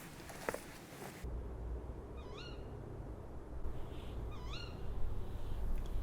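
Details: Tawny owl at a feeding table by a hide near Tiverton, Devon, at dusk in autumn, gives two short, sharp, upward-sweeping calls about two seconds apart, over a steady low rumble of background noise.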